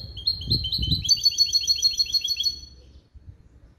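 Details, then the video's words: Caged hybrid of a male European goldfinch and a female canary, trained in a clean limpio goldfinch-style song: a rapid trill of bright, ringing repeated notes for about two seconds, with faint low knocks early on. "CHANT DE MON HYBRIDE JILGUERO ET CANARI"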